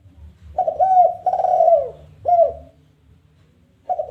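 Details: Spotted dove in 'kuk 1' challenge mode, calling to lure other doves. A full phrase: a brief double coo, a long warm wavering coo and a short falling coo. Silence follows before the next phrase begins.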